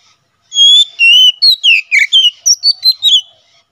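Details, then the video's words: Oriental magpie-robin delivering a 'ngeplong' song, used to train birds and lure wild ones in the forest: about a dozen clear whistled notes in quick succession, varied, rising and falling, with no other noise. "BURUNG KACER NGEPLONG SUARA COCOK UNTUK MASTERAN DAN MIKAT KACER DI HUTAN"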